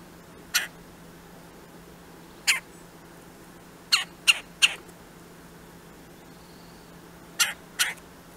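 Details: Two red-bellied woodpeckers give seven short, harsh rolling churr calls, some in quick pairs and a triplet, over a faint steady low hum.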